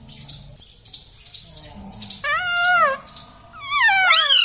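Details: Pet Indian ringneck parrot talking, saying "Mummy" and asking for roti, in a nasal speech-like voice: two drawn-out wavering phrases with rising and falling pitch, after softer chattering and household noise.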